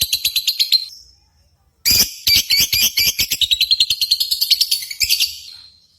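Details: Lovebird competition calls to spur birds kept at home: a short burst of sharp chirps, a pause, then a long, loud, rapid run of squeaky chattering notes.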